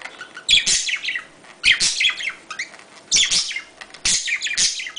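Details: Budgerigars give their mating sounds: chatter in four bursts of rapid high chirps, squeaks and scratchy warbles, each lasting about half a second to a second.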